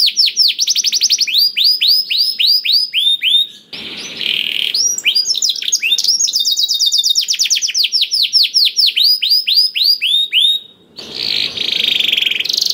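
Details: Canary song meant to draw other canaries into singing: rapid series of repeated swept notes and rolling trills, broken by two harsh buzzy rasping phrases, bright and high throughout with slight low background noise.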